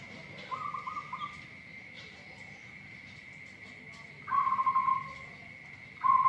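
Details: Local zebra dove noted for a strange voice gives three separate trilled cooing phrases, each a quick burst of pulsed notes on a level mid pitch, with a constant high-pitched whine running underneath throughout.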